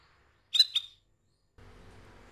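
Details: A female canary calling to attract a male gives two quick, high chirps in close succession, followed by a soft background hum.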